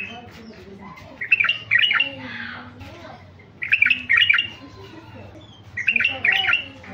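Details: Caged male White-eared bulbul, a colour-mutation bird, singing to stir wild-caught bulbuls into song: three short, bubbly, warbled phrases of two or three quick notes, each about every two and a half seconds, over a faint low indoor hum.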